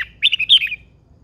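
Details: Red-whiskered bulbul song from a caged old wild-caught female: one short clear phrase of loud, bubbly whistled notes lasting about half a second, with a quiet background.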